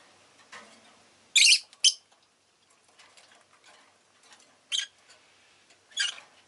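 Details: Harsh, high chirps from a pet rosy-faced lovebird: a loud double burst, then two more single calls a second apart, over a light hiss of background noise.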